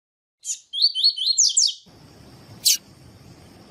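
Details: Double-collared seedeater (coleiro, papa-capim) giving tui-tui style song used to teach and warm up other seedeaters: a quick run of high, clear whistled notes, about eight in just over a second, followed by a faint hiss and one sharp click.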